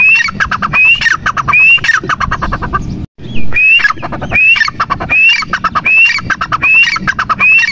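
Grey francolin giving loud, harsh squawking notes, each ending in a high rising whistle, repeated about every second in a steady rhythm.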